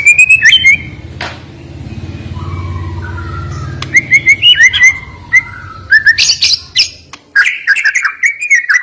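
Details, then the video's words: White-rumped shama singing short whistled slurs and brief high chatters between gaps, with a low droning hum underneath for the first several seconds. "Ngeri Isian Murai Batu Ini Nembak Tajam Naikan Emosi Burung Malas Bunyi"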